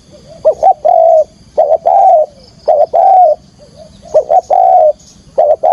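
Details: Spotted dove singing to lure wild doves into a trap: a brisk double note, then a long full coo, repeated about five times in under six seconds, with a faint high hum in the background.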